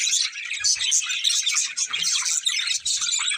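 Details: Two budgies chirping in a busy, continuous warble of high squeaky tweets and fast scratchy notes, briefly dipping in loudness now and then, with faint low bumps in the background.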